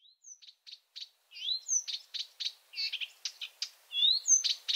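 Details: Marsh Warbler singing at night, a skilful mimic: a fast run of varied high notes, short chips alternating with upslurred and downslurred whistles, delivered in quick irregular bursts with brief gaps.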